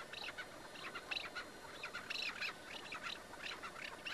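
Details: Caged chukar partridge during a hunt: a loud, excited series of raspy, grating squawks in quick clusters, with several strained, higher notes in the middle and only light background noise.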